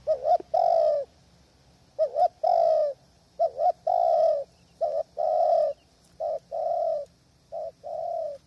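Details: Spotted dove decoy at a trapping hide, windy conditions, wild birds distant: rhythmic repeated phrases of a quick double coo and a longer sustained coo, about every second and a half, loud and clear.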